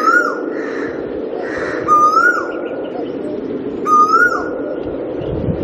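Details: Cuckoo calling: a clear, rising whistled note that dips at its end, repeated about every two seconds, with softer blurred calls between and a steady background hiss.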